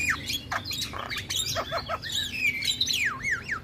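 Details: Male Javan myna tutor song that provokes other mynas: rough squawks and clicks followed by fluid, wavering whistles sweeping up and down.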